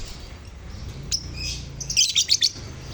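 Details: Lovebirds in a colony give high squeaky chirps, sparse at first, then a loud cluster of sharp rapid twitters. The sound is used to stir silent lovebirds into singing. A faint low hum is in the background.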